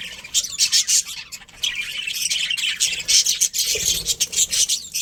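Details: Several colourful budgies in a breeding colony keep up a continuous high, buzzy chatter of rapid chirps and squeaks, barely pausing, with one faint low bump midway.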